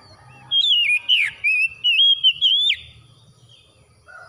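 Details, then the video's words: Oriental magpie-robin singing after dawn prayer time. A loud, clear whistled phrase of wavering, sliding notes lasts about two seconds, ending in a sharp drop, with faint low rumbling before and after. "TERAPI KACER HABIS SUBUH"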